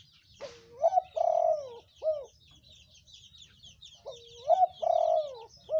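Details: Spotted dove calling as a lure call for doves: two coo phrases, each a rising note, a long sustained coo and a short closing coo, about three seconds apart, with faint chirps from other birds above.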